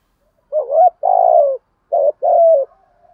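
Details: Spotted dove song in the full style with calling, urging and cooing phrases: two paired cooing phrases, each a short wavering coo followed by a longer, steady, slightly buzzy coo that falls at the end, clean and close with no other sounds.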